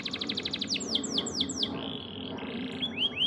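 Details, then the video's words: Songbird training recording for caged birds: a rapid trilled rattle leads into four ringing down-slurred whistles, then a flat buzzy trill and rising whistled notes, with constant low hum behind. "Si #Kuning kasih suara terbaik untuk masteran kenarimu"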